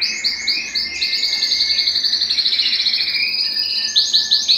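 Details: Song of a Belgian canary, used to warm up males and bring hens into breeding condition: chirped notes leading into a long rapid high trill, then quick repeated chirps.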